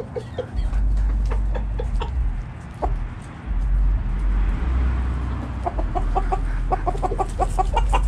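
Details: Backyard chicken flock foraging in the morning, bursts of short clucks at the start and end with a quieter gap between, over loud low-pitched background noise.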